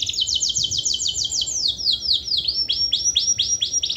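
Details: Long 'gacor' canary song meant to provoke lazy birds to join in. A fast high trill of repeated downslurred notes slows into separate looping, rising-and-falling whistles repeated several times a second. No other sounds are clear.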